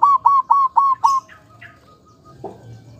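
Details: Local zebra doves, male and female, singing a short run of five rolling coos at a quick steady pace, then a faint drawn-out tone and a soft low note.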